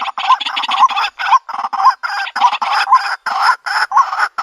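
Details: White-breasted waterhen call played in the countryside to lure birds into a trap: harsh, croaking notes with a rising hooked tone repeated about twice a second, mixed with broad raspy bursts.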